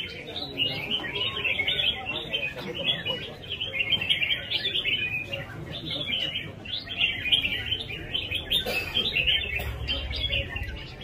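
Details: Red-whiskered bulbul in rhythmic competition singing, pouring out quick, warbling chirped notes almost without pause, busy and even throughout, over a low rumbling background.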